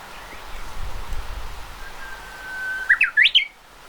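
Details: Japanese bush warbler song, 31 May 2013: the classic hō-hokekyo phrase, a long steady low whistle breaking into a quick flourish of rising, twisting notes, over faint background hum.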